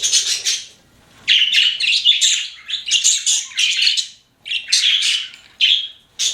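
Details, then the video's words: Chirping pet budgerigars give clustered bursts of raspy, twittering high notes separated by brief silences, about every second or so. "CUTE PET BUDGIES CHIRPING"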